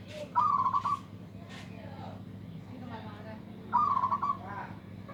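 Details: Local zebra dove with a big voice, said to outdo rivals: two soft cooing phrases about three seconds apart, each a short trilled, rolling coo, over a steady low hum and faint background noise.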